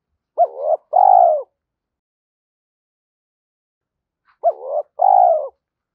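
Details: Lure recording of a spotted dove in the 'thổ pha thúc' style: two soft, throaty coo phrases about four seconds apart, each a brief upward note then a sustained, wavering coo, with nothing else audible.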